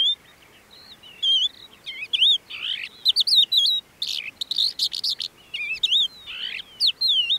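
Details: Crested lark from Bismil/Boçelû, 2016, delivering a lively run of clear whistled, wavering notes, upslurred and downslurred, interspersed with rapid chirps and brief buzzy elements, nearly continuous with short gaps.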